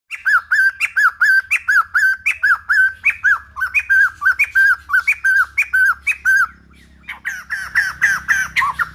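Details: White-crested laughingthrush, said to have a wild old-forest voice, used to train young birds' song, giving loud, nasal, slurred notes about twice a second, then a short pause and a quicker, more crowded run of calls.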